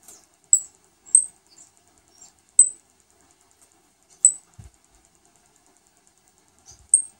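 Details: Saffron finch with a new brood of chicks at feeding time: thin, very high peeps spaced a second or more apart, with long quiet gaps and faint low knocks.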